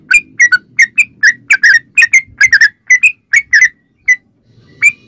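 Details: Yellow-vented bulbul song played as a lure to make other bulbuls sing: bright, clipped whistled notes in quick irregular clusters, some slurred up or down, with short pauses between.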